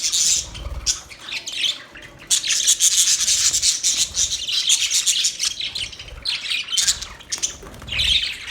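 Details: Loud, continuous budgie chatter of grating, rasping high chirps with faint whistled tones threaded through, pulsing irregularly throughout.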